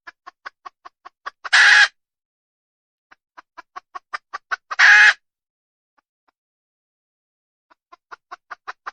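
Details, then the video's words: Wild red junglefowl hen calling: runs of short, evenly spaced clucks that quicken and grow louder, each ending in a loud, harsh, drawn-out squawk. The pattern is heard twice, then a third cluck series begins. "Suab poj qaib qus tsauj dib tuaj zoo heev..."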